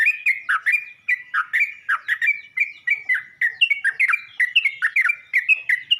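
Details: Steady, fast stream of bubbly, fluty chirps from a Yellow-vented bulbul calling other bulbuls, the notes jumping up and down in quick succession.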